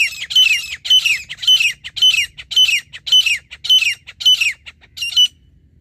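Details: Grey francolin (teetar) in India, recorded in a hunting context, giving a loud, harsh, ringing call repeated about twice a second, with a sharp descending note in each phrase, over faint low background rumble.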